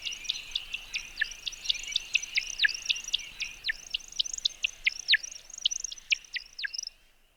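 American Woodcock in courtship flight: a fast, bright stream of high chirps and twitters, several per second and often dropping in pitch, ending abruptly.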